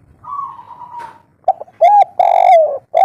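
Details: Spotted dove of local stock singing the kuk 3 style in a soft voice, played as a calling lure for other birds. A long, steady, drawn note comes first, followed after a pause by rounded arched coos and a longer falling coo.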